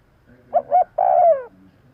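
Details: Single spotted dove call used as a lure: two short rounded coos, then a long, gently descending coo.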